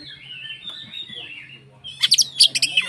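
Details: White-rumped shama (kacer) in full song, used as a lure to provoke other shamas into agitated singing: faint thin whistles and a low hum, then a burst of loud, sharp, high chirping notes near the end.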